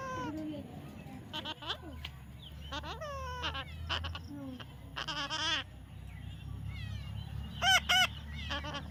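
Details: Young parrot being tamed makes a varied run of chirps, rising and falling whistled notes, and short harsh squawks, with two sharp louder screeches near the end over steady low background noise.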